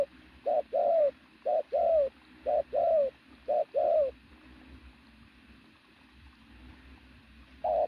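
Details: Strong, muscular decoy pigeon giving loud coos: short note then a longer falling note, paired phrases repeated about once a second, with a pause near the end and one more coo at the close.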